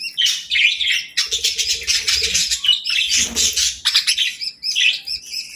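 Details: Evening flock of budgerigars chirping around feeding time, a continuous chatter of rapid high warbled and buzzy notes from several birds, with soft rustling and a brief low burst near the middle.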